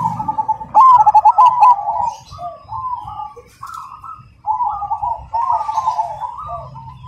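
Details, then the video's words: Cemani zebra dove giving a rhythmic, loud and clear song: an opening burst of rapid stuttering coos, followed by softer rolling coo phrases from this and other doves nearby. "Perkutut Cemani Gacor Suara Berirama Besar Lantang dan Jernih"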